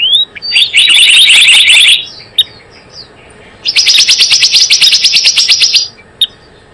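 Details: Calling Java sparrow, recorded as a trapping lure: two long trains of quick, even, high chirps, each over a second long, with a near-silent pause between them and a lone sharp note near the end.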